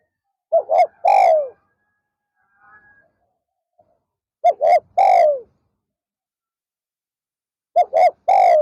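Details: Spotted dove used to lure wild doves, afternoon session, 'pa roi' song style: three-part phrases of two quick coos and a drawn-out rolling descending coo, repeated about every three and a half seconds in a quiet setting.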